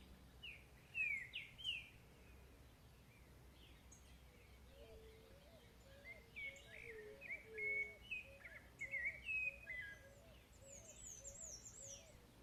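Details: Song of a chalk-browed mockingbird: bursts of varied, quick whistled notes and warbled phrases, loudest near the start and again mid-way, while a second bird gives a series of low, soft whistles and high squeaky notes appear near the end.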